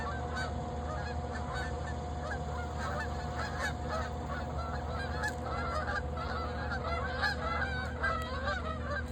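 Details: Geese in fall flying in and landing on a lake, a flock giving many overlapping nasal honks, often in quick bursts of two or three, throughout, over a steady low rumbling hum.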